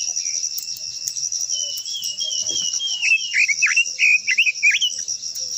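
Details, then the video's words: Japanese white-eye singing a long-voiced song: a run of high, quick, descending whistled notes that grows stronger and more twittering toward the end. A steady, shrill insect drone continues throughout. "Chim quế lâm hót _ quế lâm hót hay giọng dài kích chim quế lâm hót"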